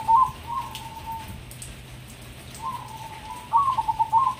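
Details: Hybrid perkutut zebra dove, Indonesia, a tame bird that sings morning, noon and night: a faint drawn-out coo opens, then after a pause a full phrase of rapid pulsed coos ends the clip, with low steady background hum.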